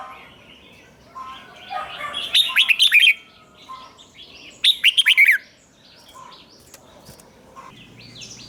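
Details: Red-whiskered bulbul song used to teach young birds: two loud bursts of quick, rolling whistled notes a few seconds apart, with softer chatter and other distant birds around them.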